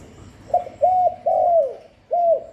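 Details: Spotted dove cooing, used to stimulate doves; a clipped opening note, two sustained soft coos with a falling tail, then after a gap one more arched coo, clean with no background noise.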